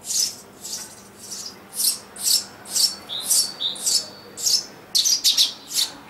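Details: Family of Eurasian tree sparrows in a garden nest box where a pair breeds every year, summer 2012: high, thin chirps repeated about twice a second, a few brief whistled notes, and a faint hiss in the background.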